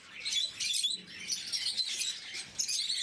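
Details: Blue-mutation pet lovebirds during morning feeding give rapid, high-pitched twittering bursts in short clusters, with a thin background hiss.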